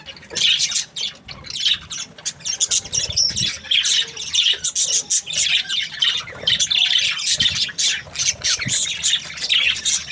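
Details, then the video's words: Budgerigar breeding pairs in happy chatter, a constant mix of raspy chirps and short squawks from several birds at once, busy and unbroken throughout. "Happy budgie chirping sounds | breeding pairs"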